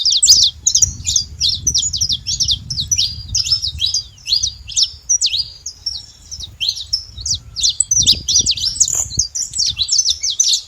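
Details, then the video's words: Saffron finch singing, a fast run of sharp high chirps and short slurred notes packed closely together, with a low rumble of background noise in the first half. "Canto de canário da terra fazendo barulho"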